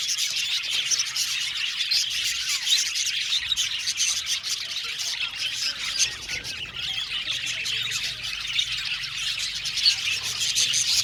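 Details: Budgerigar colony in an aviary: dense, continuous high chirping and warbling chatter from many birds, with no pauses across the whole stretch.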